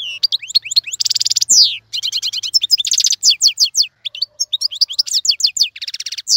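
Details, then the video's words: European goldfinch tutor song for young birds: busy chattering twitters mixed with several harsh buzzy trills and swooping whistles, delivered nonstop with a faint low hum underneath. "افضل مقنين لتسميع الفراخ. مقنين جميل جدا لتعليم الفراخ"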